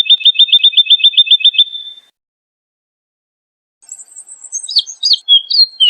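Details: Persistent, melodious woodlark song for tutoring cage birds: a fast, regular trill of ringing notes fades out. After a pause, a phrase of thin high notes and slurred whistles follows.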